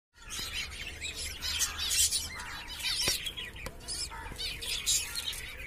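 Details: A female green budgerigar mother with two newborn chicks and three eggs in the nest; the chicks ask for food amid a busy, scratchy twitter of quick high chirps and squeaks.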